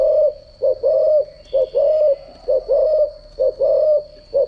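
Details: Spotted dove decoy call for training doves: low hollow coos near 600, short and long notes alternating in a steady repeating pattern, about one phrase per second, with a faint constant high whine throughout.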